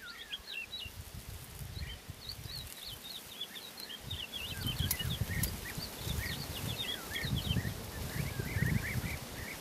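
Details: A woodlark brushes its feathers and sings softly, giving a continuous, murmured stream of small high twitters and chips, about four notes a second, over low rumbling background noise.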